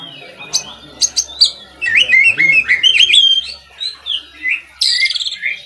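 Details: Oriental magpie-robin (kacer) song for tutoring other kacer birds: a few sharp chips, then a rapid string of looping, bouncing whistles, finishing with a buzzy rattled burst and short whistles.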